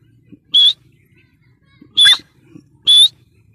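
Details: Grey francolin, called teetar, giving three separate loud, harsh piping notes spaced over about a second to a second and a half apart, in otherwise quiet surroundings.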